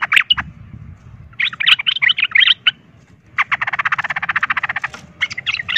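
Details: Sooty-headed bulbul in 'ropel tarung' fighting-song style, played to stir rival bulbuls: short bursts of chirping notes broken by pauses, then a fast buzzy rattling trill of evenly spaced notes.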